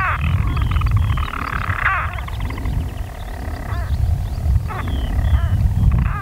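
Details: European storm petrels calling unseen from nest burrows in daytime, 5 June 2013, on Skokholm, Pembrokeshire, Wales: a dense, rapid churring purr with a sharp hiccup-like break near two seconds, over heavy low wind rumble.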